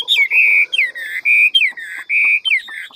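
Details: Hwamei, ngũ trường type, in forest-voice style: loud, clear whistles held for about a quarter second each, every one introduced by a quick downward-slurred note, repeated in a steady pattern.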